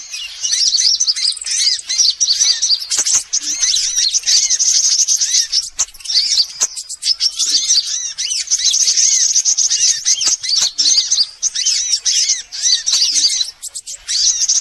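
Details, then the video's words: Many sunbirds of various kinds, played to lure birds in: a long, nearly continuous chorus of piercing high twitters and arched chirps with short breaks around three, six and eleven seconds. "Suara pikat semua jenis burung kolibri"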